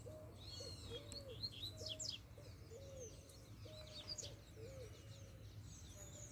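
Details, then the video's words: Wild, free-living double-collared seedeater singing strongly: quick high twittering and slurred whistles scattered through the phrase. A lower-pitched bird repeats short hooked notes underneath, over a steady low hum. "COLEIRO SOLTO FORTE CHEGOU PICANDO CANTO!!!"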